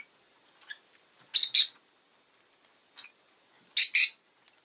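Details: Rosy-faced lovebird calls: paired loud, harsh screeches given twice, about two and a half seconds apart, with small soft chirps in between.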